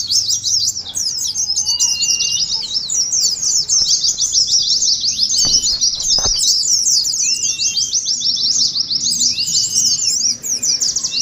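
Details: Continuous high 'ngeriwik' twitter of Oriental white-eyes, played as contest simulation and a lure for other white-eyes; rapid overlapping chirps pour out for the full stretch, with a few clicks and soft lower whistled notes.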